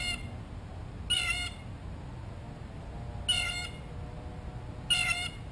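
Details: Single Blue jay near the microphone demanding a peanut: three loud, harsh, buzzy jeer calls, each about a third of a second long, spaced one to two seconds apart, over low background noise.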